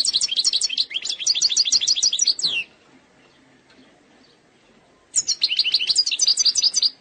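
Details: Algerian European goldfinch in error-free eastern sector song: over two seconds of rapid high twittering and trills ending with a downward sweep, a pause, then another lively twittering phrase.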